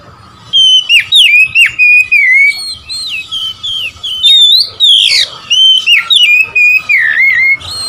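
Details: Oriental magpie-robin in a long, vigorous song burst to provoke rivals. Dense runs of loud whistled notes slur and dip, with a harsher rasping phrase midway, over a faint continuous steady tone.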